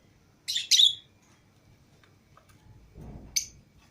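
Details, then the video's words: Pet lovebirds, a green Fischer's pair and a lutino pair, let out of their cage together with other lovebirds; two bursts of shrill, high chirping squawks, one lasting half a second and a shorter one near the end, with a low thump between. "Love Birds Singing And Chirping Sounds"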